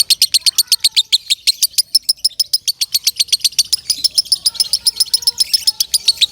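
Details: Lovebird singing loudly, kept for training other birds: fast, even run of sharp high chirps about four per second, turning into a denser rolling chatter toward the end.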